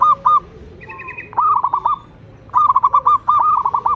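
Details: Local zebra dove singing: quick stuttering cooing notes in two main bursts, with a brief higher chattering phrase in between and a faint low steady tone underneath.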